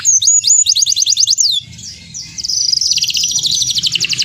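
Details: Canary song intended to set other canaries singing: a rapid series of high descending whistled notes, a brief quieter gap, then a sustained rapid trill, with low background hum.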